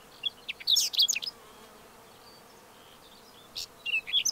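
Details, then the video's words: Whinchat singing two short, grating, twittering strophes of high squeaky notes. Each breaks off abruptly and is separated from the next by a silent pause over two seconds long, several times longer than the strophe. "Pokląskwa śpiew"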